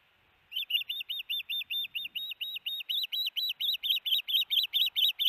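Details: Insistent high whistled chirps from an osprey at the Hellgate nest on a June 2018 afternoon, with a fish being delivered. After a brief silence they repeat steadily, about two per second, slightly louder toward the end.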